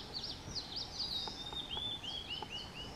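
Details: Blue-and-white flycatcher pair perched together with beaks full of green caterpillars as chicks fledge, Shuhogahara, Kobe, Japan, 30 May 2020; high clear whistled notes slurring downward in a loose series, with faint clicks and soft background hiss.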